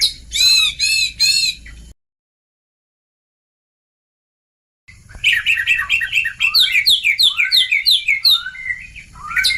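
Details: Oriental magpie-robin lure song for prompting young birds to respond: a short harsh repeated chatter, a pause, then a fast jumble of whistled and scratchy notes rising and falling in rapid succession.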